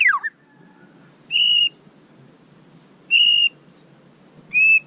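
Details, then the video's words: White-rumped shama giving a quick descending slur, then three clear, level, high whistles about half a second long, spaced roughly one and a half seconds apart, over a faint steady high-pitched whine. "Dengarkan suara candu Murai Batu ini seketika murai Anda langsung GACOR"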